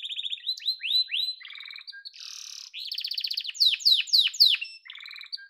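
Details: A yellow domestic canary (Belgian canary) sings a fast, varied song of high trills, rolling pulsed phrases and bright downslurred whistles, switching tours every second or so.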